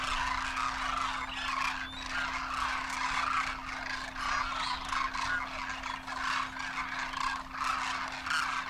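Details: Masses of Demoiselle Cranes wintering in Rajasthan, India, adults and first-year juveniles, trumpeting as they fly; layered croaking, rolling calls pulse in loose waves throughout, with a constant low electrical hum.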